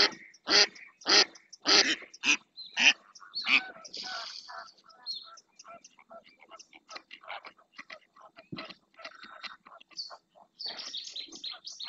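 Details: Female mallard calling insistently on the Doñana marsh, Spain, live-camera recording: six loud, nasal quacks in about three and a half seconds, then a long stretch of softer, rapid chattering and faint high notes.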